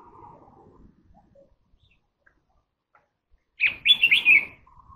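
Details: A Red-whiskered Bulbul (Pycnonotus jocosus) sings a short, bright, bubbly phrase of four or five quick chirping notes near the end, after a near-silent start with faint background murmur.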